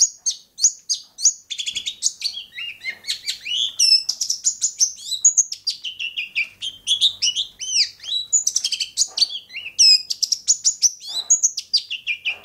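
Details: Long-tailed shrike from Bobotsari in a fast, continuous song of rapid chirps, twitters and upslurred and downslurred whistles, varied and tumbling for over twelve seconds without a break.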